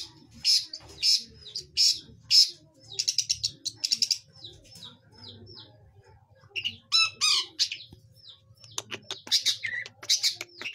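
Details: Young long-tailed shrike practising its song: repeated harsh buzzy notes, then soft down-slurred chirps, a short pause, and varied scratchy phrases mixed with brief whistles.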